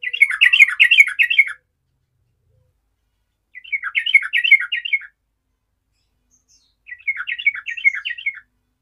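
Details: Yellow-vented bulbul singing to challenge rivals and provoke other bulbuls into answering: three bubbly, warbling phrases of quick liquid notes, each about one and a half seconds long, separated by silent gaps of roughly two seconds.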